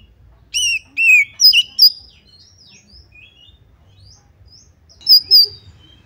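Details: Oriental magpie-robin singing to provoke a rival into a fight: a few loud downslurred whistles and chirps early on, soft scattered notes, then two more bright whistles near the end.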